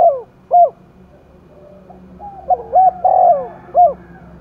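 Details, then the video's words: Contest cooing of a spotted dove in Vietnam's Đồng Nai forest, used to stir a wild-caught dove. Separate short hoots, then a louder run of clipped notes and a long coo, with a final hoot. "cu gáy thúc đấu vang cả núi rừng đồng nai, cu gay kich boi nhanh noi gù"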